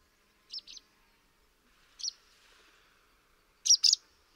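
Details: Three spaced groups of high, squeaky chirps from a barn swallow's chatter call. The last pair is the loudest, over a quiet background.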